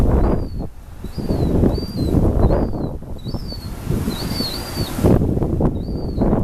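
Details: Begging baby gulls, South Boston, 2013: repeated high, arched whistled peeps, sometimes paired, nearly continuous through strong wind noise and low rumble.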